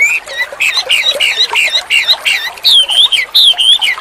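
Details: Vigorous song of a white-rumped shama: a chain of short chevron-shaped whistled notes in quick succession, switching halfway to longer, ringing, wavering whistles.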